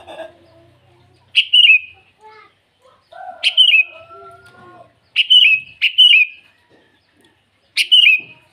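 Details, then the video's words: Sooty-headed bulbul singing actively in the morning, calling out to rivals: short bright whistled phrases that drop in pitch, some doubled, given five times at uneven gaps, with a few soft lower tones in between. "Suara burung kutilang memanggil lawan di pagi hari"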